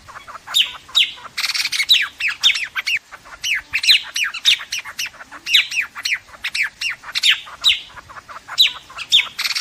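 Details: White-throated fantail flock call, used by trappers as a lure: quick downward-sweeping chirps, repeated densely and overlapping, with harsh broadband squawks between, as if several birds call together.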